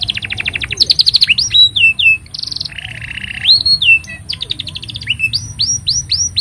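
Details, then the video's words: Long canary song for training young canaries and prompting silent ones: a fast trill, swooping whistles, two buzzy rolled trills, then a string of rising curved whistles, all loud over faint low hum. "Kenari Gacor Panjang Ini Bagus Untuk Masteran Kenari Paud Dan Pancingan Kenari Bisu"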